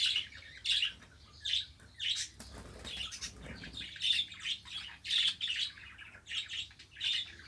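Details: Tame budgerigars chirping in a room, short rough chirps in quick bursts, with a stretch of wing flutter or rustling in the middle, then more scratchy warbled notes.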